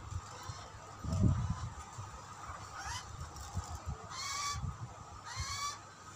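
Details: Hungry baby butcherbird begging: a faint call near three seconds, then two louder harsh, nasal, harmonic-rich calls that rise slightly, each about half a second long, over low rumbling and a steady background hum.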